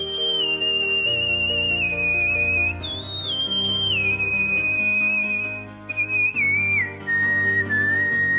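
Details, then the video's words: Cockatiel whistling the melody of Let It Go from Frozen over prominent instrumental music: high sustained whistled notes that step up, then descend in gliding drops toward the end. "ASSOBIO CALOPSITA - FROZEN LET IT GO- COCKATIEL WHISTLE"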